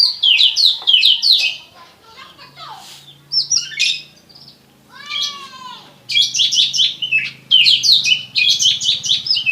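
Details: Somersaulting Oriental magpie-robin giving prinia-like song: strings of fast, high, sharp chirps, a rising squeaky whistle, a quavering buzzy note near the middle, then renewed rapid chirping bursts, with a faint low hum behind.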